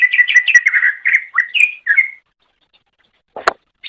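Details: Cucak ijo song for training songbirds: a fast run of whistled, warbling notes, some rising and some falling, then silence broken by a short harsh noise and a faint note.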